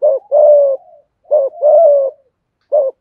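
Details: Spotted dove cooing as part of a complete call sequence to excite other doves; soft brief note followed by a long, level hollow coo, twice over, then another start.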